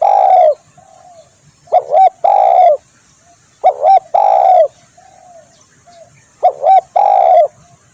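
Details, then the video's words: Spotted dove, locally tekukur, calling in a luring recording: four phrases in eight seconds, each a quick stuttered double note and then a long mellow coo, with soft murmured notes in the gaps. "SUARA tekukur di jamin ampuh cocok buat pikat/masteran"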